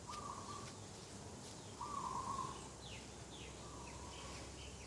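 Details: Dove calling in the morning beside a garden on 2 October 2021: three steady, even-pitched coos, each under a second, with short rising chirps from other birds in the background.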